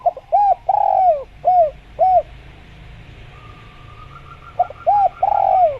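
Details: Spotted dove in a natural jungle recording meant to prompt doves to call: short arched coos in clusters, one drawn-out falling rolled note, a pause, then another coo series, over a steady faint hum.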